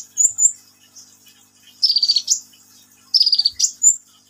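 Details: A sunbird gives two brief high chips, then two rapid buzzy trills that dip slightly and end in an upward flick, separated by a short pause.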